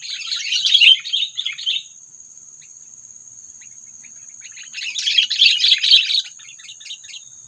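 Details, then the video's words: Sooty-headed bulbul trapping call intended to provoke predators, heard as two bursts of rapid, busy chattering notes separated by about three seconds of quiet. "SUARA PANGGILAN AMPUH PIKAT KUTILANG MEMANCING EMOSI PREDATOR"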